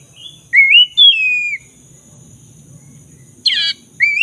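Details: Black-throated magpie-robin singing in full, lively form, used as a lure to restore a bird that has stopped singing: clear whistled phrases rising and slurring, a pause, then a harsh burst and another rising whistle.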